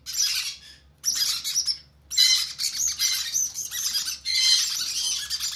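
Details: Hand-fed conure chicks giving rough, buzzy begging calls in sustained raspy bursts with short gaps, some tonal squeaks mixed in, high and insistent throughout, over a faint low hum.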